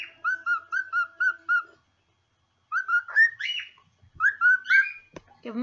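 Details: Domestic cockatiel whistling its song: a quick run of five even whistled notes, a pause, then rising and falling whistles with some buzzy, harsher notes near the end.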